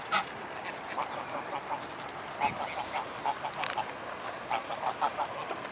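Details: Many mute swans gathered at Blaues Wunder on a May 2016 afternoon, uttering spaced nasal honks roughly every half second, with one brief rushing burst like wings or splashing midway.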